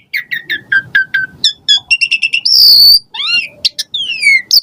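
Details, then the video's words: Asian pied starling (jalak suren) in full, richly varied song used to coax caged birds into singing: quick whistled notes falling and rising, clipped chirps, then a long harsh rasping burst before sweeping, descending whistles. "Jalak Suren Gacor Full Isian Variasi Mewah !!! Pancingan Jalak Suren Ocehan Suara Burung"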